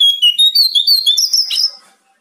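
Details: Loud, clear Bar-winged prinia song: a fast run of high whistled notes rising and falling into a brief warble, then fading to silence.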